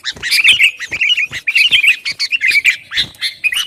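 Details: Sooty-headed bulbul in lively song meant to provoke rival birds: quick bursts of bubbly, warbling chatter broken by sharp clicking notes, several short phrases in under four seconds.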